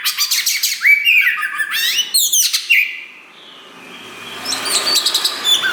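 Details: Loud Oriental magpie-robin song from a black 'wulung' bird that has just started tail pushing. A rapid string of whistled slurs and scratchy notes for about three seconds, then fainter, softer warbling against a quiet background.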